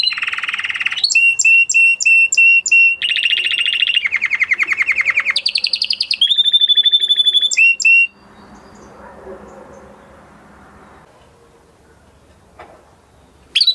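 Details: Male canary singing alternating tours of low buzzy rolls and crisp, high repeated chirps for about eight seconds, after which only faint background noise remains.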